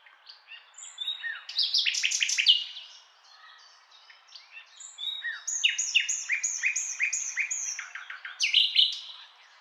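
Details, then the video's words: A nightingale sings two rich phrases of rapid repeated notes, sharp whistles and trills, separated by a brief pause; nothing else is heard. "Singing Nightingale"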